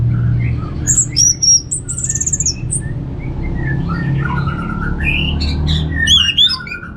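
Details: Orange-headed thrush in ngeplong-style song. Loud high whistles and chips open the passage, then lower warbled phrases and rapid buzzy notes follow, with a droning background noise throughout.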